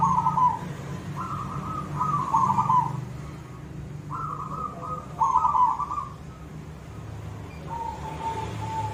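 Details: Silver zebra dove singing actively in the koong style: rolling, trilled cooing phrases of similar low pitch, about four bursts broken by short gaps, ending on a steady held coo, over a low background hum.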